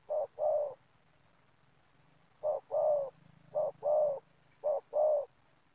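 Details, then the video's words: Spotted dove calling in an oil palm plantation, used to lure wild doves for trapping: three paired coos, a short low note then a longer drawn-out one, with a pause after the first pair and faint low hum beneath. "Mikat Tekukur"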